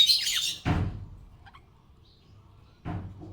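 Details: Happy pet budgerigar with a loud, rough squawking chirp sliding down in pitch, followed by two low knocks and quiet between.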